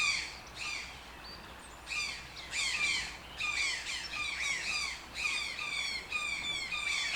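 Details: Toucan calling in a rapid series of rough, grating squawks, bunched into bursts with gaps in between, growing louder and more continuous toward the end.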